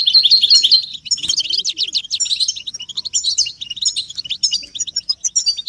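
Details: European goldfinches, caged, in a group chirping session of mating and readiness calls used to stimulate silent males into song: dense, fast liquid twittering and tinkling notes, high-pitched and continuous, with a short dip near one second before resuming.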